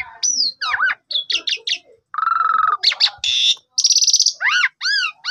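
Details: Asian pied starling morning lure song for a bird in a sulk: chattering whistles, a low buzzy trill, harsh rasping bursts and repeated arched whistles closing the phrase.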